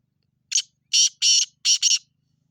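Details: Black francolin uttering a loud, raspy, rhythmic phrase of five buzzy notes, short opener followed by grouped harsh syllables, all within roughly a second and a half, nothing else audible.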